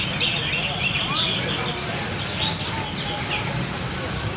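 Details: A canary's trill: a short burst of five or so sharp, high descending notes midway, set against a constant low hum.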